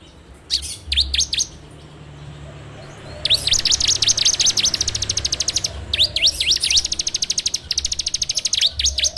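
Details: Bar-winged prinia song recorded on an Android phone as a training lure: a few scattered chirps, then long, fast, steady runs of sharp V-shaped high notes repeated almost three per second.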